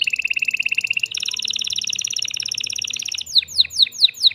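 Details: Male canary, worked up in its cage and singing to bring a female into breeding, delivers a fast pulsed trill, shifts up to a higher rolling trill, then finishes with a few sharp falling whistles.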